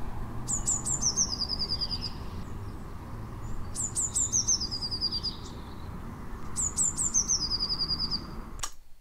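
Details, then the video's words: Song of the blue tit (Cyanistes caeruleus), a British garden bird: three short, very high bursts every three to four seconds, each a few thin notes and a slightly lower trill, over a steady low rumble. "okay so let's jump in and have a listen to the song of the blue tit"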